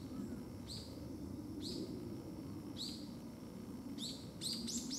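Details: Japanese green woodpecker on the wooded hill behind a house, lingering rather than flying off, giving high, sharp down-slurred notes about once a second that quicken into a rapid series at the end, over a steady low rumble.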